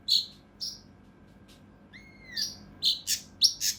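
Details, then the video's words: Mountain leaf warbler, tutor recording for training competition songbirds, with rough, tightly packed bursts: a few high chirps, a pause, a smooth downward-bending whistle, then a cluster of harsh rasping bursts and chirps near the end. "KINOI EMOSI | TEMBAKAN KASAR RAPAT UNIK | SUARA CUCAK RANTE MAS UNTUK MASTERAN BURUNG LOMBA"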